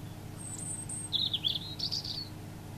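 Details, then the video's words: Robin singing: a thin, very high drawn-out note, then a rapid tumbling run of sharp, high warbled notes that jitter up and down for about a second, over a steady low background hum. "Robin singing"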